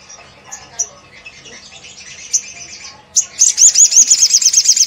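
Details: Olive-backed sunbird in steady ngleper song that provokes other sunbirds: soft high twittering gives way to a loud, rapid, evenly pulsed very high trill.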